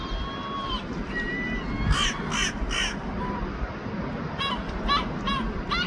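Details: European herring gull duetting in London, a few harsh, caw-like squawks in short bursts, with a thin whistle near the start and steady city hum underneath.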